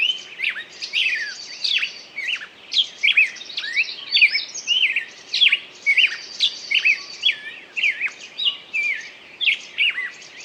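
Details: Bird singing continuously, dense overlapping whistled slurs and chirps with a thin high trilling band behind them, notes tumbling quickly without pause through the whole stretch.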